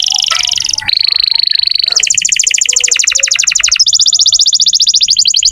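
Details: Vigorous canary song meant to prompt young or silent canaries to sing: a buzzy high tour, then a steady held whistle, then fast rolling trills of rapidly repeated notes.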